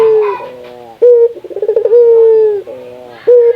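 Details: Puter dove from Indonesia calling to encourage other doves: a sustained falling coo, a sharp short note, then a stuttering pulsed roll opening into another long drawn coo.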